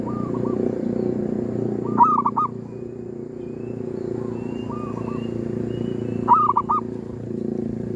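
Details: Local zebra doves calling during a hunt at a cemetery to lure wild birds: softer three-part coos alternate with louder bursts of rapid bubbling notes, roughly every four seconds, over a steady low hum and drone.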